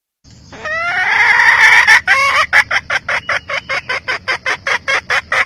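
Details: Junglefowl hen giving a long, rising, harmonic squawk lasting over a second, then breaking into a steady run of short, clipped clucking notes about two per second, about thirteen in all, with quiet background.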